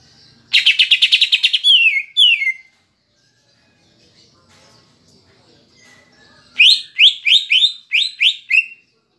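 Greater green leafbird song: a rapid run of bright chattering notes, then short downward-slurred whistles, a pause, and a second burst of repeated sweeping phrases.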